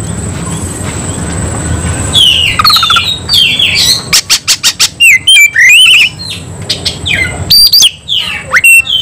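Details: After two quiet seconds, an agitated Oriental magpie-robin bursts into fighting song: descending whistles, a series of evenly repeated sharp clicks, then varied scratchy and whistled phrases.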